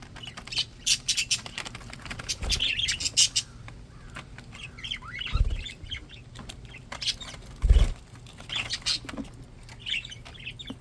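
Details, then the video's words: Happy pet budgies keep up a busy, chirpy chatter of short warbles and squeaks, mixed with frequent clicks, taps and occasional thuds. "Happy Healthy budgies"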